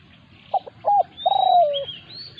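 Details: Spotted dove confronting a decoy bird on its home ground. Two brief coos are followed by a sustained, slightly vibrating coo that drops in pitch. High, thin whistles from other birds rise after the phrase ends.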